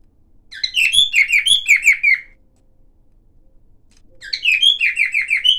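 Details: Two short bursts of chirping from a silver cockatiel, each a quick run of falling notes with a whistle, separated by about two seconds of near silence.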